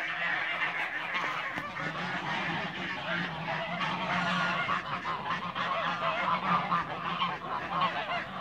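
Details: Toulouse geese, a domestic breed, gathered in a backyard: a dense, continuous chorus of harsh, overlapping honks and cackles with no pauses, over a steady low hum.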